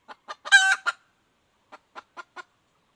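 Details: Female red junglefowl, a wild hen, calling in 2021: two short clucks, a loud harsh drawn-out squawk with a few follow-up clucks, a pause, then four evenly spaced short clucks about a quarter-second apart.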